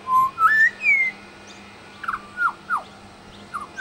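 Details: Pied butcherbird in suburban Brisbane, Australia, mimicking local sounds: rich whistled notes rising step by step, then a series of short, falling, slurred whistles, over a low background hum.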